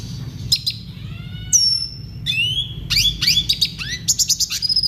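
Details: Red siskin song used as tutoring material for caged birds: clear separated whistles, a sustained high whistle and rising sweeps, then quick chattering notes toward the end, over a low steady hum.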